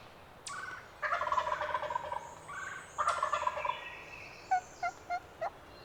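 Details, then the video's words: Roosted male wild turkey in spring, Pennsylvania public land, gives two loud rolling gobbles about two seconds apart, followed by a run of four sharp clucks, while songbirds chorus in the background. "BEST GOBBLING bird of the 2020 season!"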